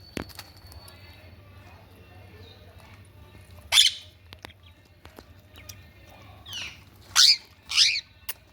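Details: Ringneck parakeet: one sharp, noisy shriek, then after a pause a rough call followed by two more loud, grating squawks in quick succession, with clicks and low hum between.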